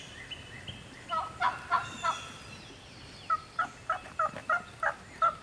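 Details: Lone wild turkey hen in Georgia turkey woods, fired up while answering a caller; a few sharp clucks and short yelps, then a pause and a quicker string of about eight clipped yelps with cutting notes.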